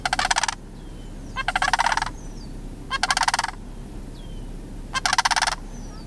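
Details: Two juvenile sandhill cranes hanging around George W. Mead National Wildlife Area; loud, coarse rolling rattles come in four bursts about every one and a half seconds, with faint, thin, descending whistles between them.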